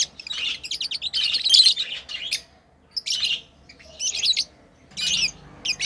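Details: Pet lovebirds chirping while playing: bursts of shrill, buzzy high chirps, a dense run in the first two and a half seconds, then short separate bursts after pauses.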